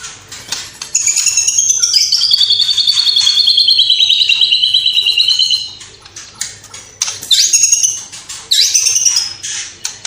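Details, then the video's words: White-rumped shama from Cililin belting out song laced with copied sparrow, fighting lovebird and kapas tembak calls: a sustained high rattling double trill lasting about four seconds, then short piercing whistled bursts. "Murai Batu Gacor Isian Gereja Tarung Love Bird Kapas Tembak Cililin"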